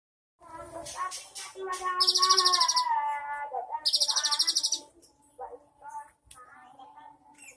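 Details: Cinereous tit, recorded 3 April 2023, 'isian mewah' filled song: busy chattering and a long drawn-out falling whistle overlaid by two fast high rattling trills, then sparse quieter chirps.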